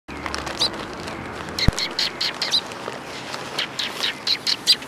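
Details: Several sparrows at Tenmangu shrine on the afternoon of 20 March 2022, giving short high chirps in irregular bursts, a few clustered together near the end, over a low background hum and one sharp click.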